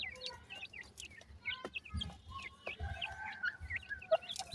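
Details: Francolin chicks, a dakhni teetar brood: thin, high upswept peeps repeated irregularly, about two a second, with soft low thumps and some background rustle.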